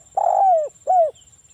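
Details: Spotted dove, local wild type, cooing as a lure for other doves: a long, rough coo that slides downward at the end, followed by one shorter falling coo, over a faint steady high hiss.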